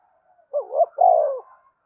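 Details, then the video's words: Spotted dove song phrase played so captive birds call along: a single phrase of two quick rising notes running into a long, smooth, downward-sliding coo. "Tiếng chim cu gáy thúc cực đỉnh, mở lên bổi nghe gáy theo cả ngày"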